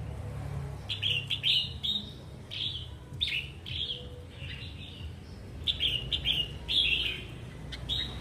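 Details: Wild-caught adult red-whiskered bulbul singing eagerly: a lively series of a dozen or so short, bright, slurred whistled phrases, often in quick pairs, over a soft low background hum.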